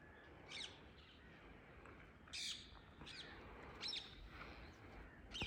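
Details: Wild free-flying Indian ringneck parakeets in a tree in the early morning; short harsh screeching calls come in scattered bursts about every second or two, over a soft rural background hiss.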